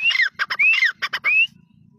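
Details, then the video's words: Grey francolin call, known locally as teetar: rising whistled notes alternate with rapid harsh pulses across two and a half rhythmic phrases, then falls silent. "Grey Francolin Sound || Irani Teetar ki Awaz ||Best Desi Teetar ki Awaaz||Jungli Teetar ki Awaz"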